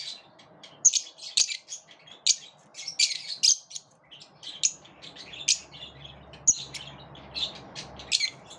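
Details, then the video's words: A flock of lovebirds quarrelling and driving each other off; rapid high-pitched squeaky chirps in uneven clusters, some sharp squawks, many birds calling at once. "Birds like to live in groups, but they also repel each other"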